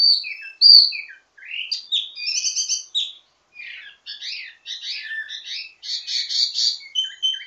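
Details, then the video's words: Wambi mini, an Indonesian songbird, singing a ledekan (teasing) song rich in variations, used to train birds of its kind: high chirps, slurred whistles and buzzy trilled bursts in quick, varied phrases with short gaps. "Ledekan Wambi mini Full Gacor Banyak Vareasi"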